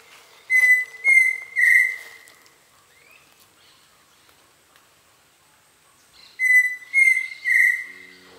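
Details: Pheasant cuckoo perched and calling in forest near the Canopy Tower, Panama: two series of three clear, level whistles, each series about a second and a half long. The last note of each series is fuller and slightly wavering, with quiet forest between series.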